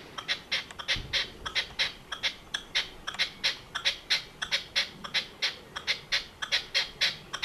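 A chukar partridge gives a steady run of harsh, clucking chuck notes, about three each second, with little else in the background.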